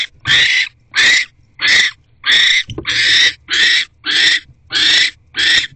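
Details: A barn owl gives harsh, breathy hisses, nine rasping bursts in under six seconds, at an owl box at 6:04 pm on 19 January 2024 as the male brings food to the female, with a faint low rumble beneath.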